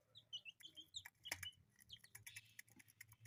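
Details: Kept as pets, colourful chicks give a busy stream of thin, high peeps, several birds chirping at once in short sliding notes, with scattered clicks and taps throughout.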